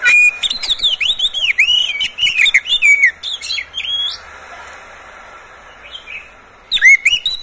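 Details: Caged Oriental magpie-robin singing a rich, rapid run of slurred whistles, sweeping up and down with sharp chirps, then a pause before a brief burst of bright whistled notes resumes; played to coax other kept birds into song.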